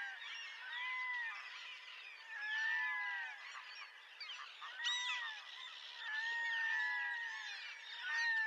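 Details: Red-throated diver giving drawn-out, wailing, cat-like calls, several overlapping and repeated roughly every two seconds, each a sustained harmonic note that slides slightly; other similar calls continue in the background.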